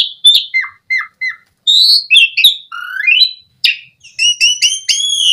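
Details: Song of an Asian pied starling used as a lure for caged starlings: spaced chirps and short downslurred notes, then a rising whistle and a closing series of ringing, evenly repeated notes.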